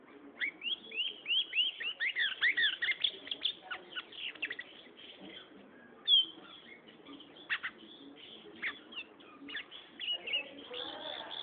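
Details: Young Gray seedeater in song, opening with a rapid three-second burst of loud rising and falling whistled phrases. Sparser sharp chirps and short trills follow, with a faint rustle near the end.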